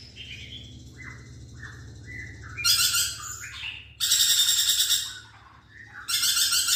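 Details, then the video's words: Lorikeet starting with soft, short downslurred whistles, then breaking into loud harsh screeching bursts that stop and start several times. "BURUNG NURI PERKICI GACOR"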